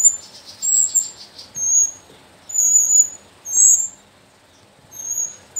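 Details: Young Sooty-headed bulbuls from the slopes of Mount Sumbing, four kept birds (three females, one male), giving thin, very high chirps in short bursts about once a second with quiet gaps between, over faint low background hiss.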